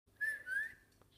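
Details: A rose-ringed parakeet, playing, gives two clear, high whistled notes, the first level and the second gliding slightly upward, over a faint low hum.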